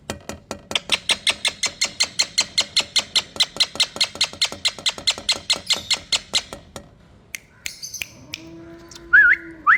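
A rose-ringed parakeet gives a fast run of harsh, scratchy notes, about six a second for several seconds, then a short pause, a brief whistle and a low hum.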